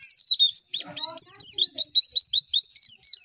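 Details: Energetic pleci (white-eye) song meant to spur other white-eyes to sing quickly: a steady chain of high, downward-slurred whistled notes, about three per second, with a brief burst of lower chatter early on.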